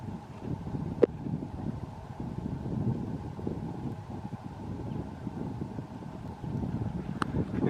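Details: Steady low rumble of wind and a passing vehicle outdoors in the countryside, with two brief sharp clicks and no animal calls heard.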